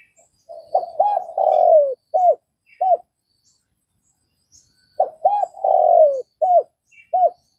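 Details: Spotted dove in Vietnam delivering two cooing phrases about four seconds apart, each of short arched coos, a long slurred descending coo and clipped final notes, with near silence between.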